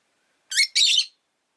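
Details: Two harsh, raspy chirps from a rosy-faced lovebird, the second longer and buzzier, then silence.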